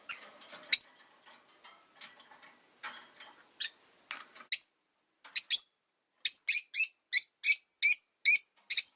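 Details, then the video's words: Caged pet rosy-faced lovebirds, five kept in a cage by a window, calling often even in winter; faint scattered ticks at first, then loud sharp high chirps repeated about twice a second, some doubled, in the second half. "冬とか関係なく良く鳴く子【Lovebird Chirping Sounds"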